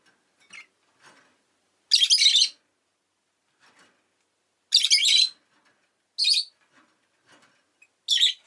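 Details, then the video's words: An orange rosy-faced lovebird, in its last recording before it died, gives harsh, high, buzzy chirps in short bursts, two longer and two brief, spaced a few seconds apart, with faint clicks between. "Lovebird Chirping Sounds"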